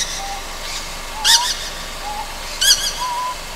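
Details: Ryukyu scops owl fledgling calling at night on Amami Oshima: two rough, breathy hisses about 1.4 seconds apart, with several faint low wavering whistled notes around them.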